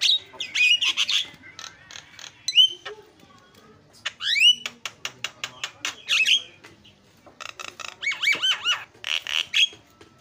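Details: Starling in full voice, used as a lure to make other birds cry out: bursts of clicks and squawks alternate with upswept and wavering whistles, separated by brief quiet gaps.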